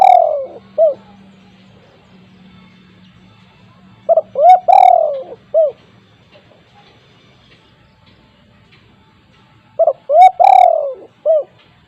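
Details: Spotted dove, a frequent caller with a loud voice, used as a lure for untrained doves. Three phrases about five seconds apart, each with short rising hoots, then a long, slightly falling coo and a brief closing note. A faint low hum runs underneath.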